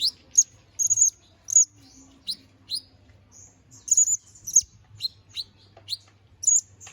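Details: Canary singing in the lively 'gacor ngobra' chattering style, used as master song for training magpie robins: short, very high, sharp whistled notes and slurred chips repeated about twice a second, with a faint low hum beneath.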